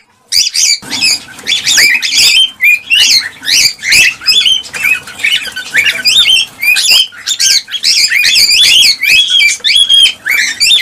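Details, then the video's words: Cockatiel flock chatter used to prompt breeding: a steady stream of rapid chirps, rising whistles and raspy squawks, many birds calling at once with hardly a break. "حفز طيور الكالوبسيت(الكوكتيل) على التزاوج والإنتاج بهذا الصوت القوي"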